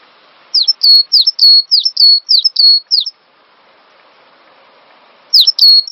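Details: Cinereous tit song used as a master recording for training songbirds: bright whistled two-part notes, each dropping then levelling, repeated quickly in a run of about seven, a pause, then a new burst.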